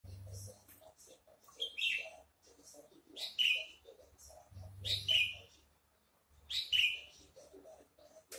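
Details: A captive Javan (Horsfield's) bush lark, offered for sale and said to have hovering talent, gives bright, high chirping phrases in bursts about every one and a half seconds, with faint indoor murmur and low hum.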